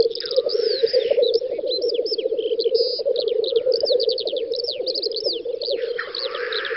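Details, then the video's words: Black grouse at a spring lek in the Volga federal district of western Russia, 9–10 May 2019: ceaseless low bubbling cooing, hissing sneezes at start and end, and many high whistled notes from other birds. "Тетерев-косач токует"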